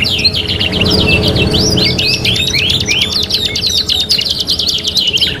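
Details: Energetic canary singing from a 3-in-1 training master: fast, sharply rising chirps in dense repeated runs, with longer rattling trills and slurred whistles and some low background rumble.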